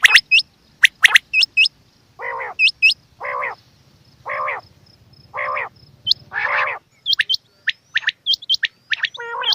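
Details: Quail females: paired hooked whistles, then a series of five rough, buzzy rasps spaced about every half-second over a faint low hum, followed by more whistles.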